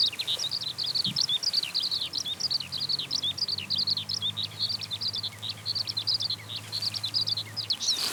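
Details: Eurasian skylark rising as it sings, a sustained cascade of fast, crisp chirps and slurred whistles, with a low engine-like drone underneath through most of it.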